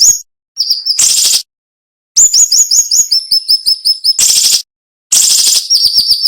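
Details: Flowerpecker tutor song, cinnamon-bellied, delivered sharp and dense with brief gaps: a thin high note, a harsh rasping burst, then a fast run of slurred high whistles falling into even ticks, more rasping bursts between.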